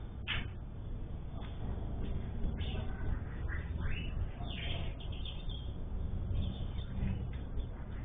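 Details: Sayaca tanager, a common bird of Brazil, singing a soft series of short slurred whistles, some rising and some falling, scattered over several seconds against a steady low rumble of background noise.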